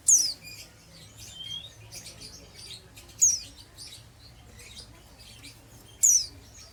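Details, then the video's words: Raw, untrained oriental white-eye chattering in the ngeriwik style: loud, thin, high chirps roughly every three seconds, separated by quieter scratchy twitters over a faint low hum. "BURUNG PLECI BAHAN NGERIWIK"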